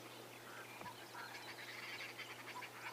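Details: Arrow-marked Babblers in the bush along a fire break on a morning safari drive, a harsh, raucous chorus of overlapping chattering notes, fast and uneven, over a steady low electrical hum; a francolin may join the calling.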